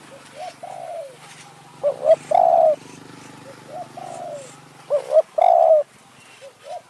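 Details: Spotted dove luring wild doves as a decoy in high forest, Kanchanaburi, Thailand: loud coo phrases alternate with softer, downward-sliding coos from another dove, over a low steady hum.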